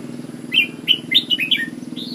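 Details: Red-whiskered bulbul from Ubon giving quick chirpy, bubbling phrases of short whistled notes over a steady low hum.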